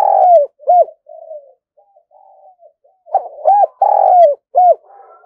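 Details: Spotted dove used as a decoy bird, calling loudly: repeated low coos, short hooked notes alternating with longer drawn-out slurred coos in bursts, quieter softer cooing in between.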